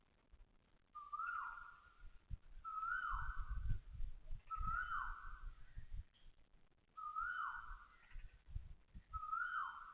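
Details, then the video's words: Asian koel calling loudly at 6:30 am on 20 October 2025 at Toa Payoh Lorong 8, Singapore: five whistled notes, each rising then sliding down, about every two seconds, over low rumbling urban background noise. "Loud koel noises"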